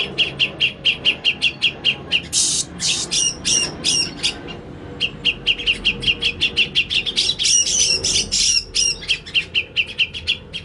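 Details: Grey-cheeked bulbul, an untrained bird recorded as lure and tutor material, gives rapid, steady runs of short chipping notes broken by bouts of harsh, scratchy chatter.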